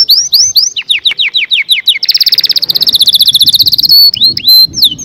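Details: Canary singing loudly: a string of downslurred whistled notes, a fast buzzy trill lasting about two seconds, then more upswept and falling whistles.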